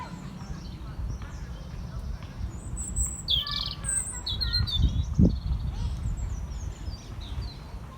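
A European robin sings a brief, high, tinkling phrase of thin varied warbles and trills. Steady low rumble of wind or distant traffic underneath, with one soft knock.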